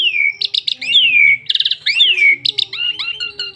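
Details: Asian pied starling singing to lure other starlings into song: long falling whistled slurs interleaved with rapid buzzy pulse bursts, about one phrase a second, ending in softer squeaky notes.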